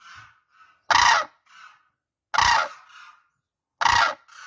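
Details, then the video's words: Crane calls: three strong, rough, trumpeting notes spaced about one and a half seconds apart, each followed by quieter trailing calls. "crane birds sound"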